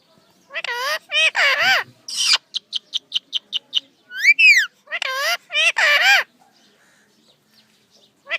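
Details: Natural parrot voice: wavering speech-like syllables, then a quick series of about eight short clicking notes, a rising-falling whistled sweep, and two more harmonic spoken syllables, ending in near silence.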